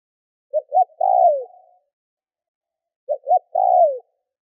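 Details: Lure spotted dove calling to excite wild birds: two identical phrases roughly two and a half seconds apart. Each has a double short note and then a full, downward-sliding coo.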